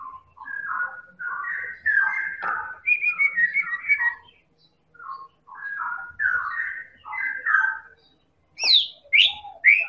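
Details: Persistent champion white-rumped shama from Medan singing to provoke other birds: dense, varied whistled phrases rising and falling, a pause, more warbles, then sharp high upward-sweeping notes at the close, over a faint low rumble.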